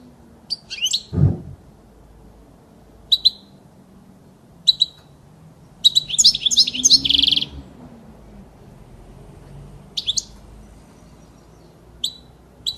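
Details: European goldfinch song for tutoring young birds: sharp, spaced chirps and twittering bursts, one dense jangling phrase mid-way, with a low thump near the start.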